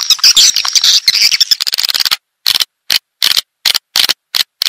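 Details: Calling swiftlets, used to attract birds: a continuous, shrill twittering chatter breaks into short, separate chirps after about two seconds, each followed by dead silence.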